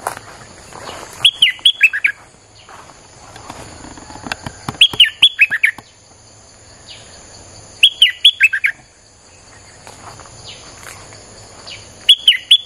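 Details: Streak-eared bulbul song played as a lure for wild birds: short bursts of bright, rapid, chirpy notes falling in pitch, repeated about every three to four seconds, over a steady high insect-like hum.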